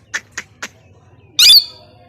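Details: Three quick, evenly spaced sharp clicks, then a plum-headed parakeet lets out one loud, grating, high-pitched squawk that fades into a short rasping tail; quiet room background.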